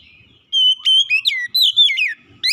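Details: Lure song of an Oriental magpie-robin meant to stir quiet birds into singing: clear sustained whistles, sharp upward flicks and sweeping falling notes in short loud phrases.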